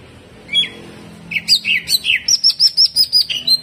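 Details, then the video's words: Greater green leafbird performing hyper jamtrok song with harsh shots. A lone note, then a quick rhythmic run of sharp, clipped whistles repeated about five per second, rising in pitch toward the end. "CUCAK IJO GACOR HYPER TEMBAKAN KASAR"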